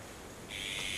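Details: Female Japanese sparrowhawk on 18 June 2019, plucking a starling brought by the male before flying toward the nest, gives a single harsh, high, drawn-out call of about half a second after a moment of quiet background hiss.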